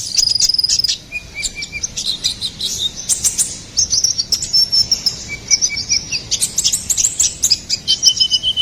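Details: Ruby-cheeked sunbird (konin kolibri ninja) in gacor song: long, thin, very high whistled trills and steady tones, interleaved with quick chips that grow rapid and stuttering in the second half.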